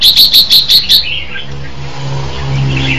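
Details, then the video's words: Red-whiskered bulbul singing, 2015: a burst of six quick, bright notes repeated about every sixth of a second over the first second. Faint scattered notes and a low steady hum follow. "Tiếng chim chao mào hay hay nhất 2015"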